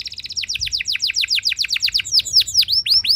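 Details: Canary song meant to set other canaries singing: rapid series of downward-slurred whistles, speeding then slowing, ending in looser rising-and-falling notes.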